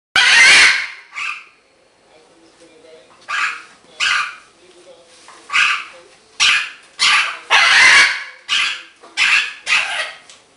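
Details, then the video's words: A happy pet green-winged macaw makes a dozen or so harsh, raspy squawks and short, irregular chattering bursts, some clustered, with quiet gaps; its owner hears chatting and a little laughing. "my greenwinged macaw have som noices, chat and a little bit laughin."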